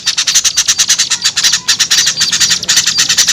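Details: Lure calls of small birds: fast, harsh, high chattering pulses in steady runs, with one short pause before the chatter resumes.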